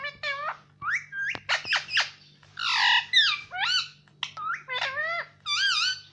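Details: Indian ringneck parrot kept as a pet, talking in a rapid string of harmonic word-like syllables, some rising, some dipping, some noisy squawks, with a steady low hum beneath.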